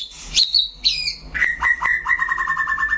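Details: Duelling white-rumped shama singing bright whistled phrases: a few high sweeping notes, then a rapid even series of short repeated chips on one pitch. A faint low hum runs throughout.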